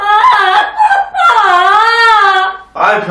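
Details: Pet Amazon parrot kept indoors by sudden cold weather fake-cries in the morning at its owner, with wavering, sobbing wails that rise and fall; the owner says it isn't really sad, and a person's voice briefly answers at the end.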